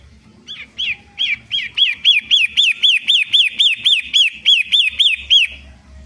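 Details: Lure song of a Long-tailed shrike, Indonesian 'pentet matahari' type, meant to provoke silent birds: after a soft start, a long run of sharp up-and-down whistled notes repeats nearly four times a second, ending abruptly.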